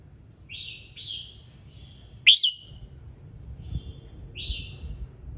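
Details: Morning song of a red-whiskered bulbul, played to draw song from other birds: soft, even whistled notes repeat at intervals around one loud, sharp burst in the middle, over a low rumbling background.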